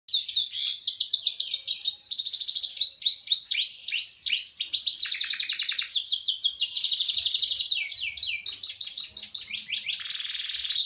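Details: A pet canary sings a long, continuous song of rapid trills, rolls and sweeping high notes, changing phrases every second or two without pause.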